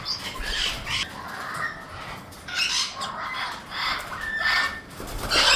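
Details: Raspy squawks from young Amazon parrots in uneven bursts, with one drawn-out steady note near the end.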